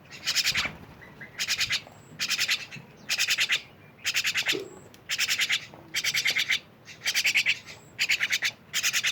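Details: Myna uttering short, rasping bursts of rattled pulses, each lasting about half a second and repeated roughly every second, over a quiet background.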